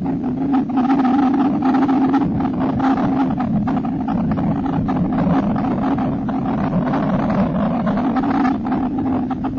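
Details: Continuous low motor hum with faint rumbling and wind, and no birds or other animals heard.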